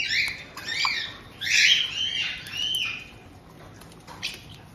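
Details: Pet white-bellied caiques in Tokachi, Hokkaido, June 2023; a resident pair welcomes a newly arrived two-month-old youngster. Loud, squeaky chirps rise and fall, then fade into softer, quieter notes.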